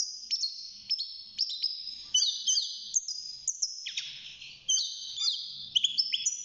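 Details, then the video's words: Caged young European goldfinch, six months old, in its early song: a lively stream of high chips and short slurred whistles, some dropping quickly, repeated in rapid clusters. "الحسون بعد مرور ستة شهور أصبح يغرد"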